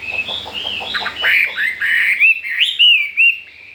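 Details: Caged Chinese hwamei, new to its home and unafraid of the other birds, delivers a run of clear rising and falling whistles, starting with soft clicks and growing into strong slurred notes repeated about once a second.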